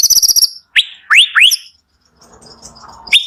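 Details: White-rumped shama singing in the morning, used to provoke reluctant shamas: a fast, high, ticking trill, then three sharp rising whistles, a quiet stretch, and one final upswept note.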